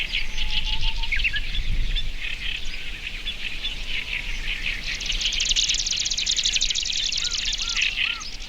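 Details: Marsh grassbird singing in early May at Watarase retention basin, Japan, filmed from a considerable distance and recorded with a binaural microphone; busy chorus of chirping birds, then a fast, buzzy run of rapidly repeated notes from about five seconds onward.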